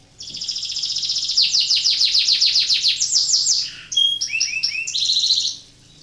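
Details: Canary in breeding condition, singing to prompt other canaries to join in; a long, rapid, high, rattling trill shifts into a lower bubbling phrase, then clear whistled notes and short descending slurs.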